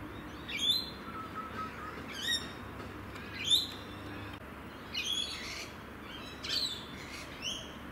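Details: Rainbow lorikeets (Trichoglossus moluccanus) in Adelaide, South Australia, in the evening. Several birds call over one another in harsh, shrill screeches in short bursts.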